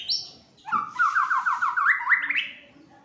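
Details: Agitated fighter white-rumped shama in full song: a high whistle, a pause, then a quick series of about eight slurred notes, rising in steps toward the end.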